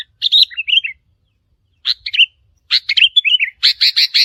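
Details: Territory-challenging calls from a wild sooty-headed bulbul. Bubbly warbled phrases are broken by pauses, then a run of rapid, even, buzzy chirps closes the passage.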